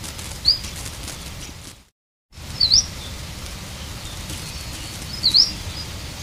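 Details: Three brief, high, sharp chirps from the Oʻahu ʻalauahio, a bird extinct through human action, spaced about two seconds apart, over a steady rural hiss with a short silent break.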